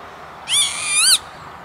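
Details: Northern lapwing on an industrial estate near Veenendaal, the Netherlands, 28 May 2013: a single nasal, harmonic-rich call of about three-quarters of a second, wavering then rising sharply before cutting off, over quiet background.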